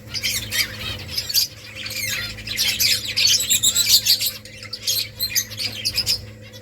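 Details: Nest-building finch colony producing a busy chorus of high chirps, short squawks and quick twittering notes almost without pause, over a faint low hum.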